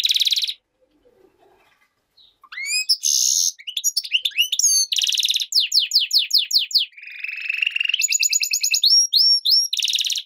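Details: Goldfinch-canary hybrid in full song: loud bursts of buzzy notes, rising sweeping whistles, rapid rattling trills and a lower rolling trill, mixed in a fast varied sequence with short pauses.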